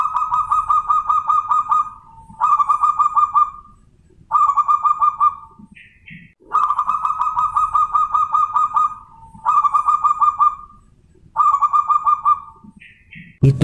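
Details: A zebra dove, a crossbred perkutut (Bangkok perkutut × local wild perkutut), gives rapid, rolling cooing phrases about two seconds long, repeated with short pauses, with a few faint higher chirps between phrases.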